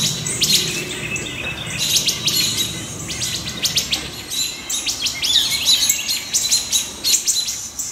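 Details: Alarmed wood thrush with other birds mobbing a great horned owlet perched on a branch near their nests, July 6 2019, in woods; dense, rattling bursts of sharp clicking notes, nearly continuous with brief gaps.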